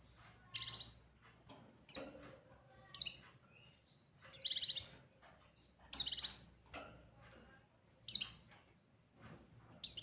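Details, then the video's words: White-eye heard among background hiss: isolated sharp, high chirps, roughly one each second, with faint lower sounds between them. "Suara burung pleci gacor paigter ngalas mancing lawan"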